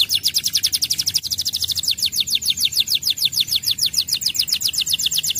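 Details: Canary song intended to get other canaries singing: a sustained, rapid trill of high descending notes that shifts slightly in pitch and speed partway through.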